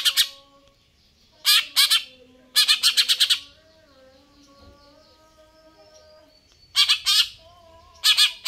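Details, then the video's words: A captive greater green leafbird in full song gives harsh, scratchy bursts in quick runs of two to five notes, with faint steady whistled tones in the background. "cucak ijo"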